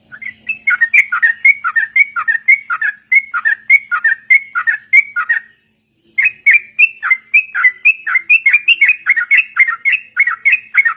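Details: Sooty-headed bulbul song used as a lure (pancingan) to train other birds in ombyokan and ropel style; lively bubbling whistled phrases, each dipping and rising, repeated rapidly in a continuous stream, with a brief pause near the middle.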